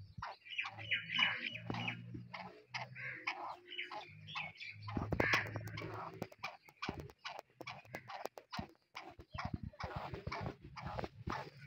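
Black francolin giving harsh, scratchy squawking calls in irregular bursts, mixed with lower grating notes and sharp clicking or knocking sounds close by.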